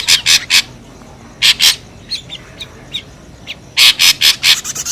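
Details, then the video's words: Ashy drongo giving noisy lure calls: groups of two or three loud, broad, scratchy bursts separated by softer short chips, ending in a rapid cluster of five harsh notes. "SUARA PIKAT SRIGUNTING RIBUT | SUARA PIKAT SRIGUNTING ABU ABU"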